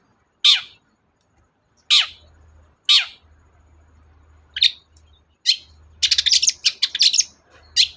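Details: Long-tailed shrike heard in a lure recording meant to start a silent shrike singing: several spaced harsh rasping notes, then a rapid run of scratchy chattering phrases, with low hum in the background.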